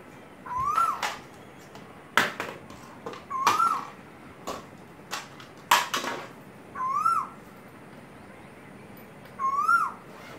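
A male Asian koel gives a rising two-note whistled call, repeated every few seconds.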